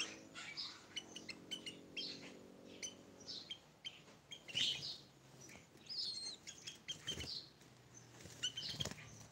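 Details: A tame sooty-headed bulbul gives scattered short, bright chirps and liquid notes at an uneven pace; wing-flapping and a low mechanical hum early on.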